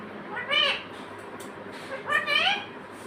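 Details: Talking pet parrot repeating a two-syllable word like "mummy" twice, about 1.5 seconds apart, each utterance husky and speech-like with bending harmonics, against low room noise.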